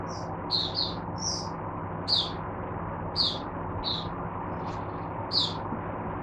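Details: Oriental white-eye kept as a teacher bird for other caged white-eyes, recorded 22 January 2022. Short, high, separate chip notes come roughly every half second to second against a low steady hum.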